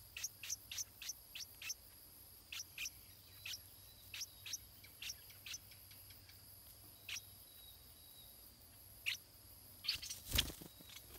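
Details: Stripe-throated bulbul chick in its nest being fed, giving short high chirps in uneven bursts, several close together early on, then sparser, with a louder broadband burst near the end.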